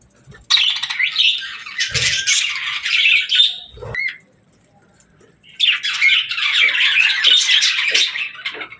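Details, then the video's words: Playful pet parakeets chirping and singing: two long stretches of dense, buzzy high warbling and squeaks, split by a quiet gap of about a second and a half. "Parakeets Playing, Singing & Talking | Relaxing Chirping Sounds"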